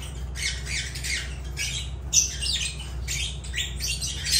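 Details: Lovebirds (Agapornis) giving harsh, shrill squawks in quick, irregular bursts, several per second in clusters, with a steady low hum underneath.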